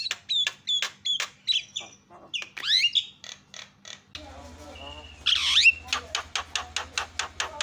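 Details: Javan myna lure calls for making other mynas call: clipped notes and a swooping whistle, then a steady low electric hum underneath as loud squawks and evenly repeated dry ticks continue.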